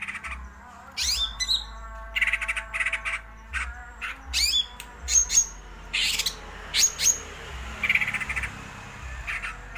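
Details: Greater green leafbird singing in a frenzied, varied rolling song: scattered sharp whistled notes, buzzy chattering bursts and high pure tones in irregular phrases, with a low steady hum underneath.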